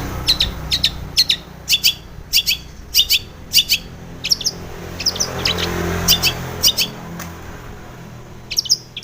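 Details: Sharp, clicking chip notes from a female long-tailed shrike, a morning lure for caged birds, come in irregular pairs and clusters over a steady low hum.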